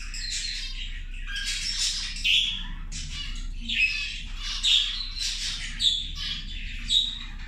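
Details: Several zebra finches at lunch, feeding together, giving short nasal squawking calls in overlapping bursts, louder notes roughly every second, over a steady low hum.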